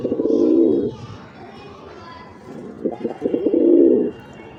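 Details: Black pigeon calling to another black pigeon with two deep, rolling, throaty coos, each about a second long, separated by a quiet pause with a few short stuttered notes before the second.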